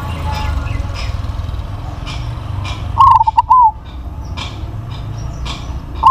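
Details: Crossbred zebra dove with a big voice delivers one strong cooing phrase midway, a quick burst of clipped notes ending in a longer coo. A second phrase begins at the end, with faint chirps and low background rumble around it.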